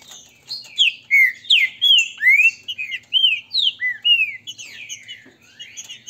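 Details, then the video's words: Green-winged saltator, a caged bird in a Brazilian breeder's singing dispute, pits the grego mole style against boiadeiro; clear slurred whistles, rising and falling, follow about every half second, bright and loud. "Disputa para ESQUENTAR TRINCA FERRO (Grego mole x boiadeiro)"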